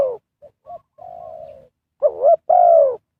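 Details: Spotted dove cooing, used as a lure to call wild birds during trapping; short low cooing notes, a sustained level coo, then two louder wavering coos near the end, with no other sounds.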